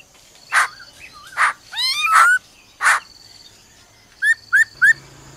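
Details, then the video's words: Female laughingthrush giving her "ro ro" call to excite a male: harsh broad bursts spaced about a second apart, a quick sliding whistle, then three short rising whistled notes. "Khướu mái ro ro kích trống"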